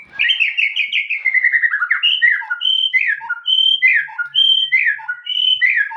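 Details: Descending warbled run from a white-rumped shama, followed by an alternating series of high flat whistles and lower slurred notes, repeated steadily.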